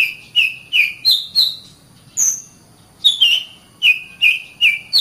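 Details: Oriental magpie-robin master song for caged-bird training: clear repeated whistled notes about every half second, mostly falling slightly in pitch, with one high thin whistle in the middle.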